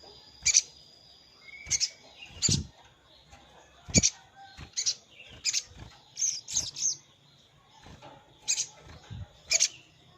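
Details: Sogon lure call, a bird challenging a rival to bring wild sogon to the trap; a long series of sharp high chirps and short twitters at uneven intervals, with soft low knocks.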